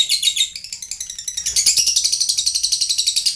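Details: Lovebird song intended to get other lovebirds to answer: dense, rapid, high-pitched chattering bursts in quick succession, briefly dipping then resuming louder, with faint low thumps in the background.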